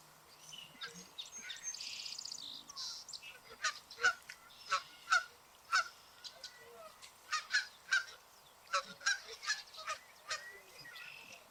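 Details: Canada geese swimming on a lake honk back and forth to each other in loud, nasal, two-part calls, several per second in bursts, with softer chatter and faint background noise between.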